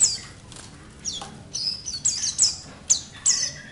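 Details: White-eyes, kept together with other white-eyes, twitter continuously in thin, very high chirps and short sweeping phrases, several bursts in quick succession, with no other clear sounds.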